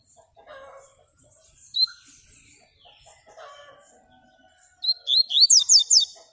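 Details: Yellow-bellied seedeater (Baiano) song: after quiet scattered chirps and low murmurs, a loud run of about six fast, steep, high sweeping notes ends the phrase.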